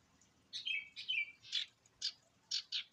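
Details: Sirtu singing to draw other birds into song: buzzy, slightly falling notes followed by a series of short sharp chirps roughly every quarter second. The background is quiet.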